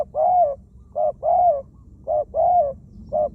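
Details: Zebra dove kept as a decoy bird, described as a wild-caught bird with a small voice and many coos, used for ground decoying; mellow cooing phrases, each a short note followed by a longer arched coo, repeated steadily.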